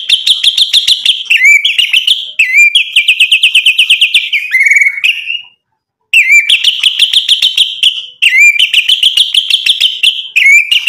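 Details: White-rumped shama singing to draw out rivals: repeated fast, high rattling trills, each closing with a sliding upswept whistle, given in long bursts separated by a brief silence.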